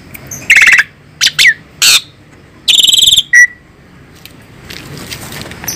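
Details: Asian pied starling, described as fierce, gives a loud, scratchy medley of harsh rasping bursts mixed with short, sharp whistles, delivered in uneven spurts over a few seconds.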